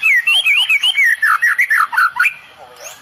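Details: Medan white-rumped shama in tembakan style, full of cililin phrases: loud warbled, wavering whistles in quick rhythmic pulses about four per second, stopping abruptly into quiet.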